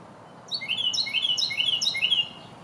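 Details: Singing Carolina wren, New York, spring: a rapid rolling series of four ringing, slurred whistled phrases, each sweeping down then up, delivered evenly over under two seconds against quiet background.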